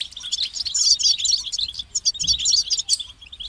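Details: European goldfinch delivering continuous, bright, rippling twitters and liquid trills at high pitch, with a few pauses and faint low rumble underneath.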